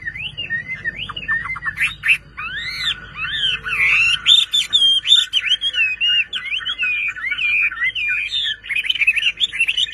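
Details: Kept Chinese hwamei pouring out a continuous, rich warbling song of looping whistled notes that swoop up and down, with a low hum underneath during the first few seconds.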